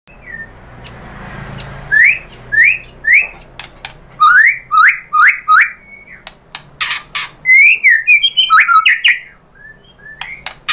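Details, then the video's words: White-rumped shama song used to provoke other shamas into singing: loud clear upslurred whistles in quick bursts, separated by sharp clicking notes, with short pauses between phrases and faint low background hum. "memancing EMOSI MURAI BATU biar ikut GACOR BONGKAR MATERI ISIAN ¦ PANCINGAN MURAI ¦ SHAMA BIRD"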